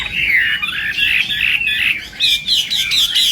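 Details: Chinese hwamei in a singing contest, morning voice training; harsher, slightly squawky warbled phrases, then a string of sharp clipped notes in the final second.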